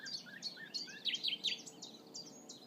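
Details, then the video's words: Common nightingale singing in a hunting concession after returning in spring: a steady run of sharp, down-slurred, whistled notes repeated about four times a second. The phrasing shifts in pitch partway through, and a faint background hiss runs throughout. "The Nightingale is back in my hunting concession"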